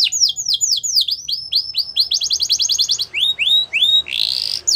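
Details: A Gloster canary sings a chain of descending whistled slurs, speeding into a fast trill, then drawn-out falling whistles and a harsh buzzy burst near the finish.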